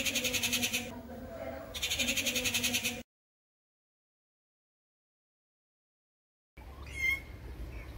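Rufous treepie giving two harsh, rapidly pulsed grating bursts, each about a second long. After a silent gap comes a brief higher note.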